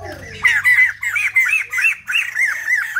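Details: White-crested laughingthrush singing at its best: a loud, rapid run of short arched notes near the same pitch, delivered in bursts of three to five with brief gaps, chattering and laugh-like, with low hum beneath.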